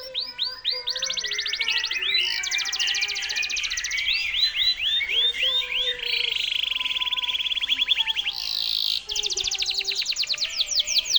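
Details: Canary song used as a model for training White-rumped shamas. It runs as fast rolling trills and repeated upswept notes, with a long buzzy roll near the middle. Faint lower whistles sound underneath.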